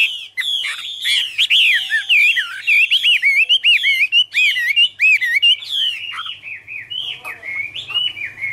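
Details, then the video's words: Chinese hwamei in autumn 2017, pouring out a long varied song. Rich looping whistles and sharp upward-flicked notes tumble together, then ease into softer, lower phrases near the end. A faint low rumble is heard late. "" Autumn Love Song " Bird Garrulax canorus Singing- Birdsong"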